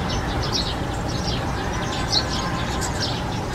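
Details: European serin (Serinus serinus) singing a continuous, fast, high jingle of tiny chirps and trills. A strong low rumble of background noise runs beneath the song throughout.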